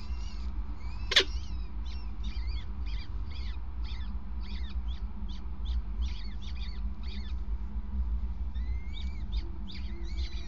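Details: Peregrine falcons at the Gasunie nest site on 5 May 2019 at 20:54, as the male passes prey on the grate, give a long run of sharp, high chipping calls about three per second over a low rumble, with one loud knock near the start.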